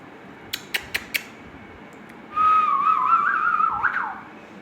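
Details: Ringneck parrot at home, making one long warbling whistle that wavers up and down and ends in a rising flourish, after four sharp clicks in an indoor room.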